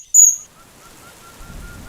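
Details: Oriental dwarf kingfisher in thick Western Ghats forest, India, at monsoon onset when pairs chase each other and get very vocal; one sharp, very high, shrill squeak, then faint repeated soft ticks and low forest rumble.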